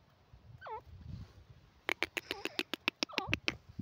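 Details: Grey francolin call, described as a female voice: a lone falling whistled note, then a fast run of sharp, clicking notes mixed with short descending whistles, about three or four per second.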